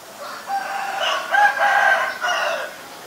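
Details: Asian barred owlet in a rapid, bubbling chatter of rich harmonic notes, swelling in three pulses across about three seconds before fading.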